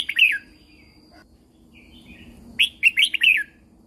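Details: Red-whiskered bulbul in Thailand, song played for training and exciting caged birds: quick liquid warbled notes, a pause, then a fuller burst of four bright, bubbling whistles.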